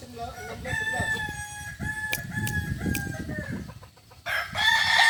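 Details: Kukuak balenggek rooster crowing at a contest final in Ampang Kualo, Solok city, on Sunday 8 September 2024: a long, layered crow held for about four seconds over low crowd murmur, then a loud burst of noise.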